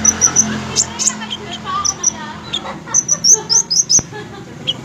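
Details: Fighter-type olive-backed sunbird uttering quick series of thin, high-pitched chips and short trills in clustered bursts over faint low background chatter.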